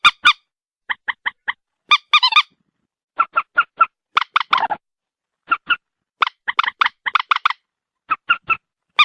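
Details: Repeated nasal honks from a white-breasted waterhen, delivered in evenly spaced runs of three to five notes and interspersed with a few rough, grating notes; no background noise.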